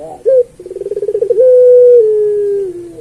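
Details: Single song phrase from a puter pelung turtle dove, a master for training other pelung doves: a brief hoot, a rapid rolling burst of throbbing pulses, then a long, low, smooth coo sliding gently downward.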